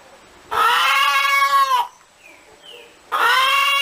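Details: Chicken giving a long, harsh, arched squawk, then a brief quiet with faint thin sounds, then another loud squawk begins.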